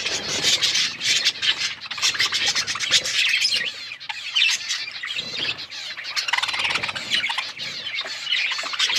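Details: Budgerigars feeding on corn; a flock of Australian parrots gives continuous harsh chatter and high chirps, rising and falling in intensity.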